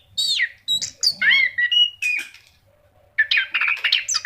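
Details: Anis kembang, the orange-headed thrush, singing hard: descending slurred whistles and a sweeping downward note, then a second of quiet before a fast chattering, scratchy run of mixed notes.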